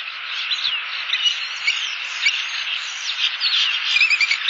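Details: A pair of bald eagles calling back and forth out of sight of the Southwest Florida nest cam, 1 October 2015; busy high chirps and short slurred whistles tumble together over continuous insect noise.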